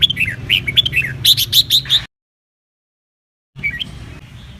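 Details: Red-whiskered bulbul duet song for voice training, meant to spur birds into competitive singing: quick series of clear, slurred whistled notes for two seconds, a gap of silence, then a short faint phrase over low hum.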